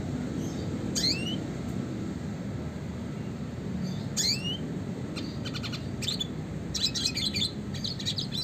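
Red siskin singing: short sweeping chirps, then a run of rapid buzzy, twittering notes near the end, over a steady low rumble.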